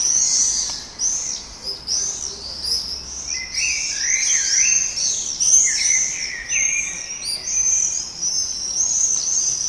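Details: Common swifts at a breeding colony in Heverlee, Leuven, 20 June 2018, 22:30, banging and breeding activity: shrill, high, buzzy screams in overlapping bursts, several birds calling almost continuously with some lower, falling notes.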